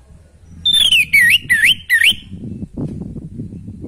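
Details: Orange-headed thrush song played to rouse a kept bird lacking breeding drive: four loud whistled phrases, each sliding down and looping back up, in quick succession, then a low rumbling background.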